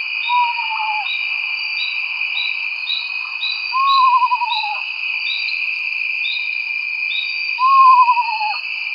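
An eastern screech owl gives three quavering, descending whinnies about four seconds apart, over a steady shrill chorus of night insects.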